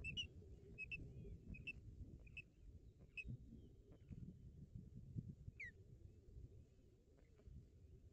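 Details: During an intruding osprey's visit to a nest in Barlinek Forest, 17 April 2022, an osprey gives a run of short, sharp whistled notes in the first seconds, later a single falling whistle, with low rumble throughout.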